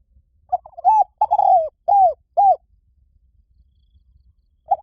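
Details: Spotted dove phrase of soft stuttering notes, a long burry coo and two clean falling hoots, followed by a pause of about two seconds and the start of the next phrase.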